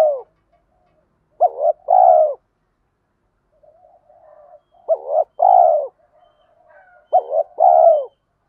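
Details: Decoy spotted dove giving urging 'thúc gù' coos to stimulate other doves; three phrases, each a clipped double note and a long, soft, downward coo, with low, faint cooing murmurs in the gaps.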